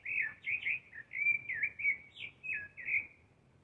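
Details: A thrush (zorzal) gives its spring song, a quick run of clear, varied whistled phrases, about two or three a second, each sliding up or down at a fairly high pitch. No other sounds stand out.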